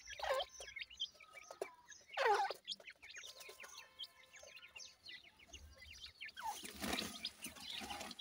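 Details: Young grey francolins giving two loud downward-sweeping squeals, then many faint high chirps, ending in a rushing hiss.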